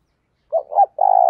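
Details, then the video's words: Spotted dove used as a lure bird to provoke other doves into cooing, giving a short phrase of two quick coos and then a longer, steady hummed coo, in silence. "tiếng cu gáy mồi thuần gáy gọi và thúc căng lửa"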